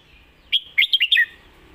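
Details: Red-whiskered bulbul, 'Lak Wai' song style: a loud, clear phrase of five whistled notes in under a second, bouncing between higher and lower pitches and ending in a falling slur.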